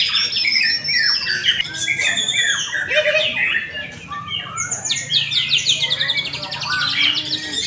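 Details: White-rumped shama in a bird-singing contest in Indonesia. Fast, varied song mixes clear rising whistles with buzzy, rattling bursts, and several singers overlap in a crowded chorus with a low background hum.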